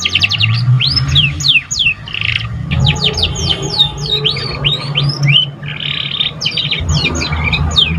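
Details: Canary chick learning to sing, pouring out a nearly continuous stream of quick downslurred chirps, sweeping whistles and short buzzy trills over a low steady hum.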